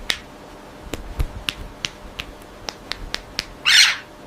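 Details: A pet budgerigar gives a run of sharp, dry clicks about three a second, ending in a brief harsh, hissing squawk. This is a territorial warning against intrusion, given when a hand enters its cage or its sleep is disturbed; it may bite.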